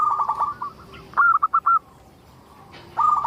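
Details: Actively singing local zebra dove, recorded as a lure to prompt other zebra doves to sing: a quick run of soft staccato coos, then four loud separate clipped notes, silence, and another fast run of coos.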